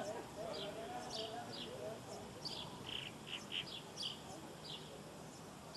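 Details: Southern martin (Progne elegans) in Córdoba, December 2011, giving short, bright chirps in irregular bursts, some slightly rough, over steady background noise with a low murmur that may be distant voices.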